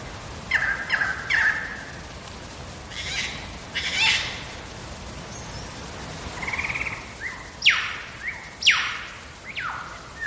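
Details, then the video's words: Wild lyrebird singing in Megalong Valley, Blue Mountains, Australia: a varied run of sharp downward whip notes, rapid chattering bursts, and short buzzy trills, each phrase different, separated by brief pauses. "Lyrebird song"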